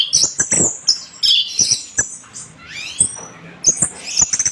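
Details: Orange-headed thrush singing vigorously as a training recording for cage birds: quick varied high chirps and sweeping whistles, with sharp clicks and taps between phrases.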